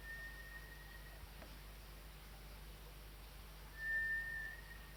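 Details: White's thrush, known locally as nue, calling at 5 am on a chilly 29 March instead of its usual summer midnight, at shorter intervals than usual: two thin, steady, level whistles, one ending near one second, another after almost four seconds, over faint low hum.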